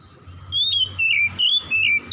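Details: Oriental magpie-robin at dusk giving four clear, sweet whistled notes in quick succession, each a level or gently sliding tone, over a low background hum.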